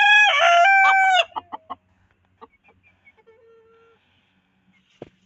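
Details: Domestic chicken from a backyard group of hens: one loud harmonic crow about a second long, followed by a run of short clucks and soft fading notes in a quiet setting.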